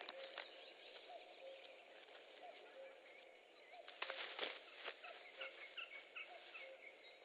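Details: Wild ospreys at a nest in Estonia on 3 May 2013, as the male delivers a big fish to the female. Short whistled chirps repeat in loose bursts, with lower tonal notes and rustling noise throughout.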